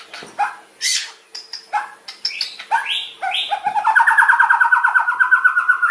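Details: Loud 'nembak' song of a white-rumped shama, 22 September 2024, meant to stir other birds into singing: varied whistled and chattering phrases with sharp high notes, ending in a long rapid rattling trill that slowly falls in pitch.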